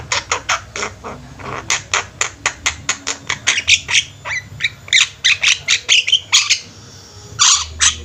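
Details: Javan mynas in a flock, calling loudly: a rapid series of harsh, clipped squawks and chattering notes, about two or three per second, with a short pause before a final burst; faint low hum beneath.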